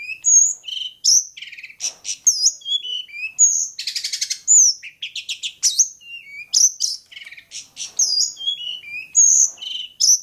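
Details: Varied Long-tailed shrike song from Bobotsari, a continuous medley of shrill upslurred whistles, buzzy rasping bursts, quick chattering runs and falling notes, phrases changing every second or so.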